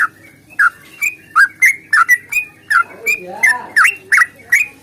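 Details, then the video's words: Long rapid fighting song of a yellow-vented bulbul, used to make birds sing: bright whistled slurs repeated roughly three per second, with a brief mid-pitch warbling sweep from another sound partway through. "trucukan GACOR tarung ropel panjang ini AMPUH bikin trucuk gacor bunyi NYAUT"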